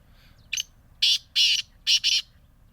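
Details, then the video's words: Black francolin calling in Bhakkar district: five harsh, grating broadband bursts, the later ones longer and closely paired, over a quiet background. "کالے تیتر کی آواز"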